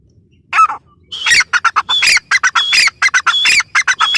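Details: Grey francolin (teetar) calling: a single harsh note, then a loud run of grating, broadband notes, each carrying a thin high whistle, repeated rapidly and unevenly.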